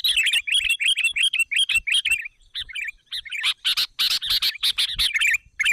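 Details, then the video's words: Sooty-headed bulbul lure call used to draw other bulbuls in: lively, bubbling chirped phrases in rapid, uneven bursts, dense and loud throughout, growing busier and more overlapping in the second half. "Puluhan Bl langsung Berdatangan,Suara Pikat Gacor Memanggil"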